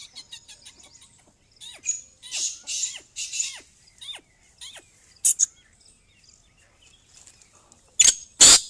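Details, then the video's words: Female black francolin calling with several scratchy, hissing rasps, then two sharp loud bursts near the end; small birds chirp rapidly with descending notes throughout. "black francolin female voice"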